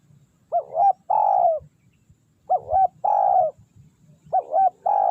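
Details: Spotted dove, tekukur, calling as a lure for wild doves: three repeated phrases, each a wavering double coo then a long drawn coo, about every two seconds, with soft low rumbling behind.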